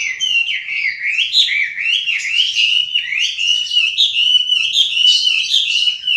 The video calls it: Hwamei Singing